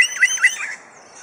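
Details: Superb lyrebird in Adelaide Zoo, Australia, in a mimicry display: a brief burst of three looping, squeaky chirps in quick succession, then fading to quiet.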